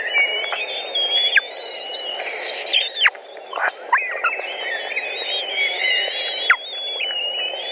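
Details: White-tailed eagle nest in Latvia, 14 June 2019, with an adult feeding young on a pike. Long, thin whistles are held steady at a high pitch with a few sharp downward slurs between them.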